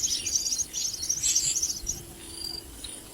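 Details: Common myna chicks receiving a lizard from a parent give two quick bursts of piercing, buzzy chittering, then fall quieter.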